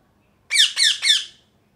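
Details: A parrot screeches three times in rapid succession, each rasping call falling in pitch, evenly spaced about a quarter second apart and equally loud.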